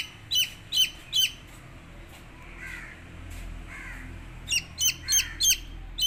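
Chicken chicks give shrill, high peeps in quick runs: three at the start and four more at the end, with soft rustling between.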